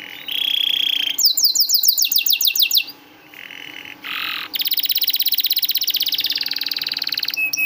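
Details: Canary song meant to teach and prompt canaries that are slow to sing: buzzy trills, a rapid series of descending sweeps, short pauses with soft buzzes, then a long dense rolling trill.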